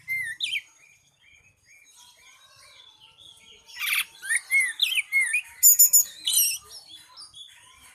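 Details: Oriental magpie-robin performing nyeting: varied whistled phrases mixed with harsh raspy bursts, growing louder midway into rapid upslurred notes and scratchy chatters, then fading into soft chirps.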